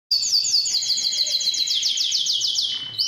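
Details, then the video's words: Yellow canary singing a fast, even trill of high rising-falling notes, about ten per second, which ends on a sustained steady whistle. "yellow canary singing"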